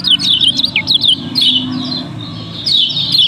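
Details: Yellow-bellied prinia, Lombok contest bird, in a busy lure recording: short clusters of high, scratchy, downward-flicking chirps, a pause, then another rush of notes near the end.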